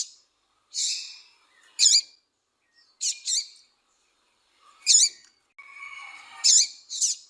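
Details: Calling female double-collared seedeater, used to warm up a cold male and spur his song: bright high chirps and doubled piping notes in short irregular bursts, with a fainter buzzy note between.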